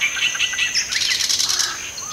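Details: Oriental reed warbler giving contact calls or an unusual call: quick, high chirping notes, then a dense burst of harsh, buzzy, rasping notes, closing with a soft slurred note, over a steady high-pitched insect whine.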